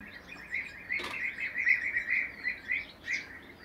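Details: Three bee-eaters perched in a row, giving rolling, purring chirps repeated in quick succession, several overlapping, with one brief sharp rustle or knock early on.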